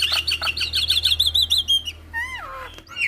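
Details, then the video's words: Javan myna song used to prompt other mynas to sing, full of varied filler phrases: a fast run of high, chirpy whistled notes several per second, then long slurred whistles sliding downward, over a steady low hum. "Jalak Kebo Full Isian Mantap Bikin Semua Jalak Ikut Bunyi"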